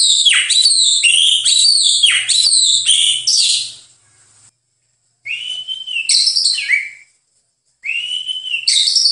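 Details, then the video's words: White-rumped shama singing in a master recording used to train songbirds: rich, fast whistled phrases with high chirps and downward swoops, broken by two short silences before the singing resumes. "SUARA BURUNG - Masteran Terbaik Murai Batu"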